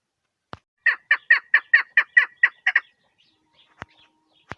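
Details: Female chukar partridge giving a rapid run of about nine harsh, clucking notes, four or five per second, followed by a pause broken by a few sharp clicks or taps.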